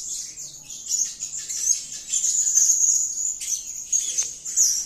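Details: Blue-crowned hanging parrot singing out a steady, very high, fine-grained trill that grows louder mid-phrase, with a brief break and a sharp click near the end.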